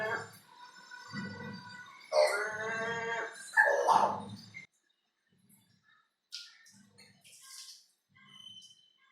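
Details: A crow imitating strange noises learnt near a window, filmed from a distance; a few loud, strained harmonic cries around two to four seconds over low rumbling, then near silence with faint scattered sounds.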